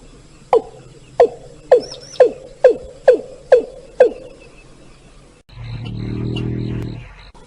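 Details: Watercock call used as a lure for bird hunting: seven hollow, resonant notes dropping in pitch, about two a second, then a burst of low buzzing noise.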